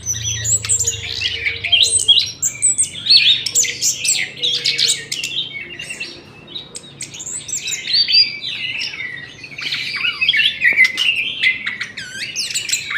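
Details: Morning aviary birdsong: a crowded mix of high twitters, chips and squeaky phrases from many birds. The chorus thins briefly midway, then swells again, with a low rumble at the start.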